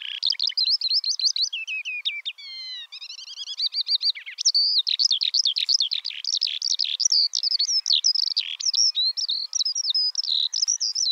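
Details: Eurasian skylark singing a long, unbroken stream of high, rapid warbles, trills and chirps, with quick runs of repeated notes early on, then a dense, continuous twittering flow without pause.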